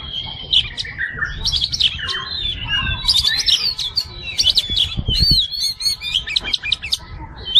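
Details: Kacer (Oriental magpie-robin) singing fighter-style tutor material: dense jumble of high chirps, trills and slurred whistles running without pause over a rumbling background noise.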